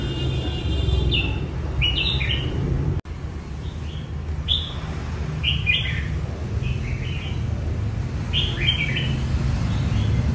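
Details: Red-whiskered bulbul singing while being trained for a singing competition: short bright warbled phrases that rise and fall, given in quick bursts every second or two over a steady low rumble of background noise.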